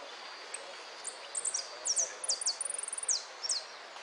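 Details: At the 13 January 2013 winners' final of a singing contest in Merlo, Argentina, a hooded siskin delivers lively, very high song. Sharp downslurred notes come in bursts, with a brief fast trill in the middle, over faint hiss.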